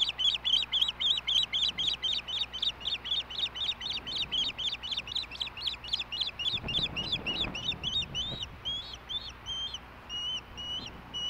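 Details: Osprey at its Montana nest, Hellgate, during a big evening meal on 20 May 2016; a fast continuous stream of shrill chirps, about four per second, slowing near the end into a few drawn-out upslurred whistles.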